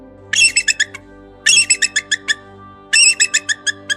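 An eagle gives three bursts of high, thin chattering notes, each a harsh squeal followed by five or six quick piping chips. Soft music plays underneath.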